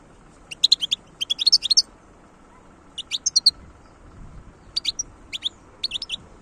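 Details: Wild European goldfinch in song, delivering short, crisp bursts of high twittering notes, three to six in each cluster, with brief pauses between bursts, in quiet surroundings.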